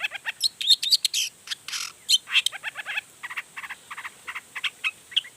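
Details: Long-tailed shrike in vigorous song that sets rival shrikes singing: a fast chattering stream of scratchy, buzzy notes and squeaky whistles, nearly continuous, varied in pitch, over a faint background hiss.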